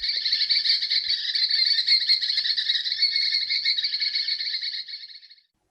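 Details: One of an agile pair of Heart-spotted Woodpeckers (Hemicircus canente) foraging up tree branches gives a long, fast, buzzy trill, high and even, running for about five seconds before fading out. No other clear sounds.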